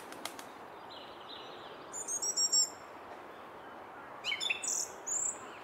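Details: Song thrush by a Henry Moore sculpture singing short, high, chattering phrases in two separate bouts, preceded by a few sharp clicks, with quiet outdoor noise between.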